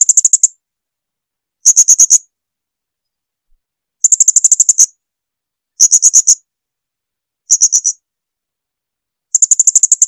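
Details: Srindit, the blue-crowned hanging parrot, in a clean training recording: bursts of fast, thin, high-pitched chips repeated every second or two, varying from short clusters to longer trills, otherwise silent.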